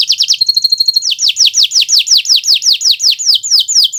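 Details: Gacor-style Kenari Nusantara canary, a tutor recording: quick chips, a faint high whistle, then a steady procession of loud downward-slurred notes about four per second.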